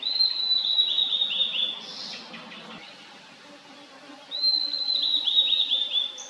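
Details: Blue-and-white flycatcher singing in a valley: a clear whistled phrase around four kilohertz lasting nearly two seconds, with warbled, slightly falling notes. A quiet pause follows, then a second similar phrase begins after four seconds over faint background hiss.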